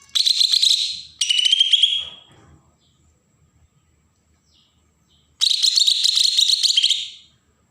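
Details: Agitated Bornean green leafbird song from Berau, Kalimantan, meant to provoke untrained birds: two quick bursts of fast, shrill chattering that slide downward at the end, a quiet pause, then a longer rapid twittering phrase.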